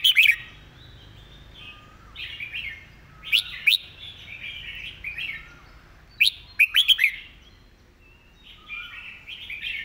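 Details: Red-whiskered bulbul singing a repeated master-song style with quick delivery: sharp, bright whistled notes in clusters, then warbling, slurred phrases between them. The pattern recurs several times over about ten seconds against a quiet background.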